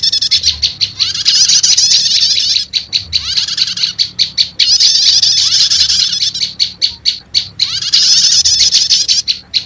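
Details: Prinia lure recording, prenjak lumut calls combined with prenjak setater, meant to quickly call in wild prenjak lumut: dense high buzzy trilled bursts alternating with rapid sharp chips, repeating in cycles of a few seconds.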